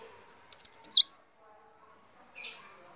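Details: A small agile leaf warbler delivers a bright, high twittering run of five rapid slurred notes, followed after a pause by a softer buzzy chip. Faint low background murmur is also present.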